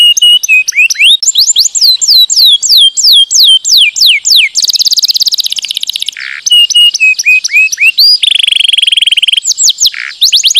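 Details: Vigorous canary song meant to prompt sluggish pet canaries to sing. Varied tours follow each other: chains of rising and falling whistled sweeps, a dense buzzy trill, lower rolling notes and a high rattling phrase.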